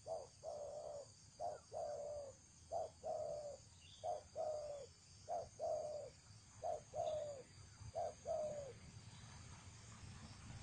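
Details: Decoy spotted dove (cu gáy mồi) with a thổ trần voice gives a long run of low cooing phrases, paired short and longer coos repeated at a steady pace, over a constant faint hiss and distant background noise.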